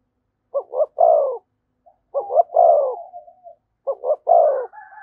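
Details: Thúc gù cooing of a spotted dove beside a decoy bird. Three phrases of two fast clipped notes and a drawn-out mellow coo, with a soft tail note after the second; a fainter higher coo overlaps at the end.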